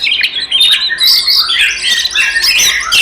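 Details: Caged Oriental magpie-robin singing an aggressive fighting song used to provoke other magpie-robins; dense, harsh, buzzy notes mixed with scratchy whistles, packed tightly without pauses.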